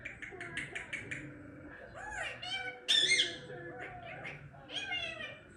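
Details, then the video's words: Pet Indian ringneck parrot talking: a rapid string of speech-like syllables in a raspy, nasal voice, with a louder squeaky outburst in the middle and a short phrase at the end. "Talking parrot 🦜 Indian Ringneck parrot"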